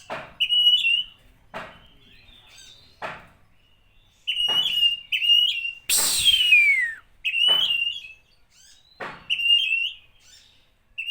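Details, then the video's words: Oriental magpie-robin singing to provoke rival magpie-robins: short clear whistled phrases repeated every second or two, with sharp clicks, and a harsh descending sweep cutting through midway. "Pancingan untuk emosi kacer"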